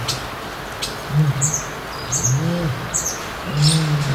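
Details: Male North African red-necked ostrich calling to attract a familiar keeper in the neighbouring enclosure, whole body resonating as territorial behaviour; three deep droning hums rise and fall, while brief high chirps of small birds sound overhead.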